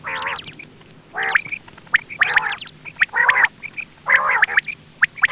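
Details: Quail voice used to lure birds for hunting, dominated by loud, harsh, harmonic squawks in bursts about once a second, with high chips between them.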